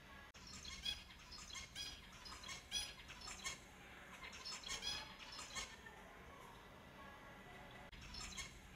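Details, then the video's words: Several finches calling together, rapid overlapping high chirps and squeaky notes in irregular bursts, quieter spells between, with constant low background noise. "30 Minutes of Finches Sounds for Lonely Finches"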